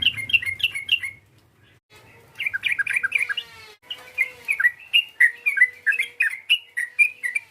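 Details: Rival-provoking call of a yellow-vented bulbul: lively clusters of warbled, chirping notes, a short quiet gap, then a longer, faster stream of varied bubbly notes.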